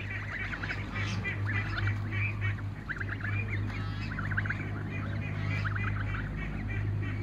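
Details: Young Toulouse geese running in a backyard, giving rapid, continuous chattering honks and squeaky calls from several birds at once over a steady low hum.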